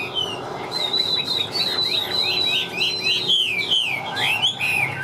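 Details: Wild Chinese hwamei, a wing-flicker with a fig-leaf tail, pouring out strong song: clear high whistled notes run into fast, looping slurred phrases and descending trills, rich and continuous for about five seconds.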